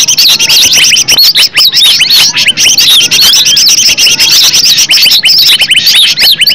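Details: Green leafbird singing in an original natural recording used as a lure; a continuous chattering medley of high twisting whistles and sharp chips, steady in volume from start to finish.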